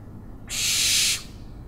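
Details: A single strong, raspy hissed screech from an owl, steady for about seven tenths of a second before stopping abruptly.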